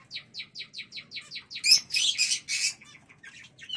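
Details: Zebra finches in a small home breeding cage give a run of about ten quick, high chirps in steady succession. A louder burst of buzzy, noisy calls follows, then a final rising note.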